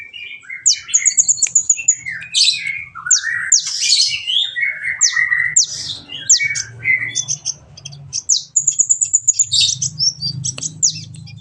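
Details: Kolibri ninja sunbird song for training other birds: long energetic medley of rapid high ticking trills, buzzy bursts and lower warbled phrases, repeated trills returning near the end, with low background rumble.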